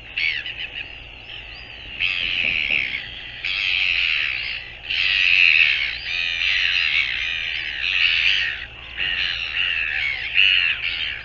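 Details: Northern royal albatross on 24 January 2022, calling in a long run of coarse, wavering, squawking phrases with short gaps, roughly forty per minute, over a faint hiss.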